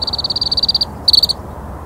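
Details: A Temminck's stint in Malaysia, recorded in October 2021, gives a high, dry, rapid trill in two bursts: a longer one of about sixteen notes, then a brief second, over a faint low hum.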